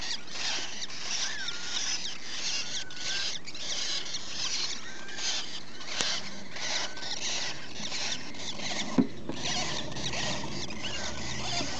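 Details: Rosy-faced lovebird (Agapornis roseicollis) chicks, recorded 13 November 2015, give a steady, dense chorus of raspy, hissing squeaks with a few faint thin whistles, over soft rustling.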